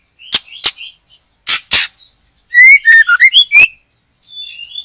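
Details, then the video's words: White-rumped shama singing loudly at a backyard trapping site. A few sharp harsh notes, then a fast run of ringing whistled notes stepping up and down, ending in a faint thin whistle. "Mikat Burung Murai batu,,Sudah gacor dorrr"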